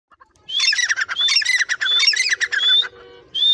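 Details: Captive, tame grey francolin trained to call when its owner whistles: a dense run of rising, squeaky whistled notes mixed with harsh squawks for about two seconds, a brief pause, then another rising note; a faint steady tone underneath.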